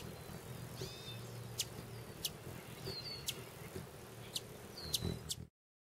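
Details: A hummingbird filmed close up while feeding in Arizona gives high, thin chirps and short sharp ticks, scattered about once a second, over a low hum of wings or distant traffic.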